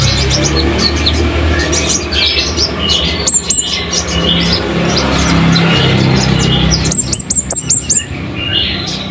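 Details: Scarlet-headed flowerpecker song, a loud, sharp wild-type voice used to tutor caged songbirds: scattered high chirps over steady low rumble, then a fast burst of about six piercing, very high ticks near the end.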